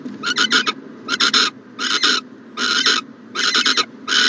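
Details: Owl in its nest box on a January 2020 morning gives rapid, raspy hissing bursts, some split into quick double or triple pulses, about seventy-four per minute, with a low hum beneath.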